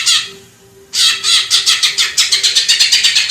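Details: Greater green leafbird, masteran song recorded in the Indonesian wild: one harsh note, a pause, then a steady series of rasping chattered notes, about five per second, over a low constant hum.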